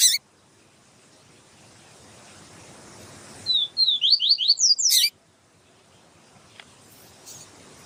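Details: Female double-collared seedeater calling to stimulate a male: a rapid series of about eight high, upward-slurred notes lasting just over a second, bracketed by sharp clicks, then quiet with faint hiss.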